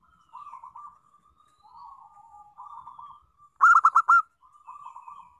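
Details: Local zebra dove song used as a lure for other doves: mostly soft, purring trilled phrases, broken near the end by a single loud burst of five quick, sharp notes.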